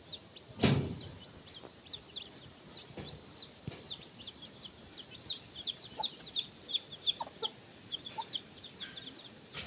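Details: Free-range baby chickens forage near the coop with their mother hen before dusk. They give a steady stream of high, thin, downward-slurred peeps, many overlapping. One sharp thump sounds near the start.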